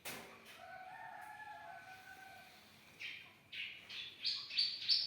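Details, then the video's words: Young bar-winged prinia singing actively, used as a training recording for other songbirds: after a quiet start with low drawn tones, a run of high chirps grows louder toward the end. "masteran ciblek muda gacor"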